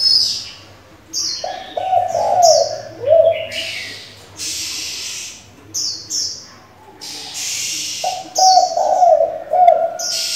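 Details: Spotted dove decoy with many voices, used to excite and train young doves, repeats low cooing phrases several times amid high bird chirps and loud broadband rustling bursts.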